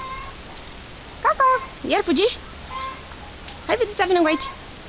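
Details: Eurasian jay giving loud, drawn-out mewing calls that rise and fall in pitch, rich in harmonics, in three separate bouts with quiet pauses between.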